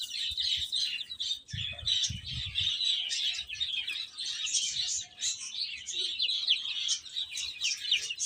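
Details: Several chicks chirping while they eat and play, a dense chorus of high thin peeps overlapping continuously, with a few low thumps early on.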